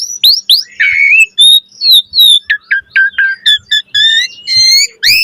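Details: Asian pied starling in full varied song with puffed display, pouring out rapid whistled notes, short chirps in quick series, and a few husky, noisy calls without stopping.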